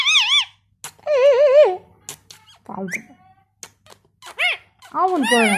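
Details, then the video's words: Talking parrot kept as a pet, said to speak Bangla including "Vat khabe"; shrill wavering voiced phrases with a trilled middle section, broken by clicks, then short rising-falling squeaky syllables and a final drawn-out wobbling call. "parrot talking Vat khabe❤️ parrot talking Bangla"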